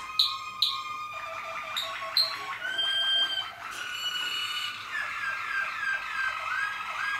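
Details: Malinois Waterslager canary recorded in 2014; sharp high chips, then a bubbling water-like rolling passage, stepping into a held whistle and finally soft sliding, gurgling phrases over faint steady background hiss.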